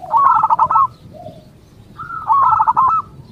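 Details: Zebra dove, a local bird, singing so others of its kind will answer: two trilling phrases of rapid staccato coos, separated by a soft low coo, against a quiet background rumble.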